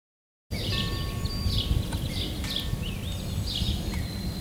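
An American robin sings short, clear caroling phrases about once a second over a steady low rumble, with thin, drawn-out whistles from other birds.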